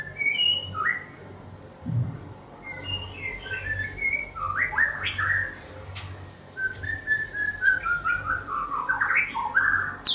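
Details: White-rumped shama kept in Banda Aceh giving quieter, scattered whistled notes, some rising and falling, with a few thin high tones and a low hum beneath.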